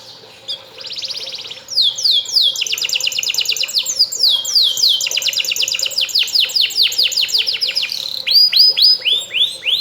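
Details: Canary singing to prompt another bird to respond; a long, loud stream of rapid trills built from repeated downward-sweeping notes, the phrases changing speed and pitch and ending in slower, ringing swoops.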